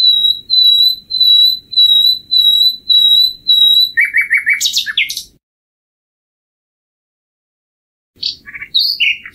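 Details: Common nightingale repeats a clear high whistle seven times at an even pace, then a quick row of lower chirps and a harsh burst, with a pause before fresh varied notes.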